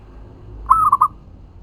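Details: One brief cooing phrase from a local zebra dove used to lure and answer other doves: a soft stuttering run of three notes, the last two clipped and separated, in near silence.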